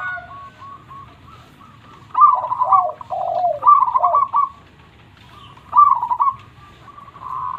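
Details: Local zebra dove in full song, voice described as very big: rolling, trilled coos broken by lower, falling mellow notes, two loud phrases with a softer trill near the end.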